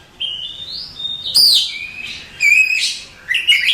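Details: Captive contest-champion Oriental magpie-robin singing a varied run of high, clear whistles, sharp slurred notes and buzzy trills, used as a tutor song for other birds; no other sounds heard.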